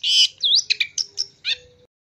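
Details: Long-tailed shrike lure for ombyokan practice: a brief phrase starting with a loud harsh screech, then a dipping whistle and several short scratchy notes, ending in silence.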